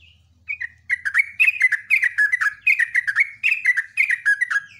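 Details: Sooty-headed bulbul singing a loud, long rapid song: short bubbly whistled phrases that dip and rise, repeated about twice a second after a brief quiet opening. A low steady hum lies beneath.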